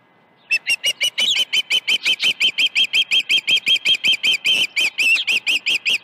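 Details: Morning at an osprey nest, Dunrovin Ranch, 21 August 2019, a day when two fish were delivered at 7:05 and 7:31 AM. Loud, rapid piercing whistled notes repeat nearly three times a second, steadily for over five seconds.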